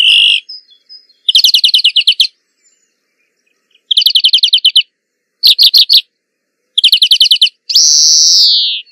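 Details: European greenfinch singing outdoors: repeated rattling trills of fast chirps in short bursts, separated by pauses, ending on a long falling buzzy wheeze.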